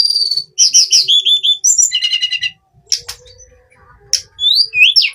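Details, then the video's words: Hill blue flycatcher (tledekan gunung) pouring out loud high whistles and stuttering trills, then a quieter pause, and finally sharp rising slurs. "Kicauan harian Tledekan gunung"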